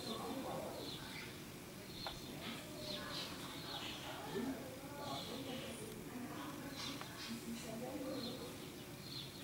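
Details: A common starling (Sturnus vulgaris) on 6 May 2016 chatters in a rambling medley of short clicks, rattles and thin whistles, with a steady low rumble beneath.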